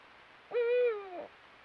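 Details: Eurasian eagle-owl hooting from a perch: one deep, steady, harmonic-rich hoot lasting under a second, sliding down at the end, over a quiet background.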